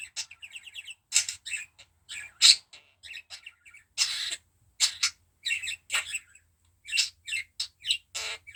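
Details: Pet budgerigar coughing: short, harsh, broadband bursts mixed with bright chirps and chattering notes, in irregular clusters with brief silent gaps between.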